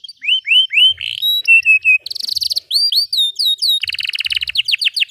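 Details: Canary in long continuous song used to tutor young birds and coax silent ones; repeated rising-falling whistled notes, a buzzy trill, quick upward chips and a closing rapid roll.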